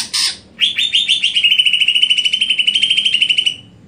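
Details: Greater green leafbird in stelan cucak hijau style, opening with one harsh squawk and moving into a long, fast, evenly pulsed high trill that rises slightly at first, then holds level.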